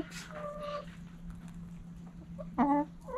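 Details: Backyard chickens at morning sunrise: a hen gives a short harmonic cluck early on, then a louder, sharply rising squawk near the end, over a steady low hum and faint rustling.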